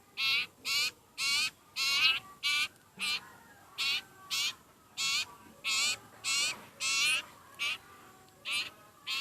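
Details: Hungry sirpu (sirtu) bird begging insistently, with about fifteen harsh, buzzy rasps coming quickly one after another, at times almost back to back.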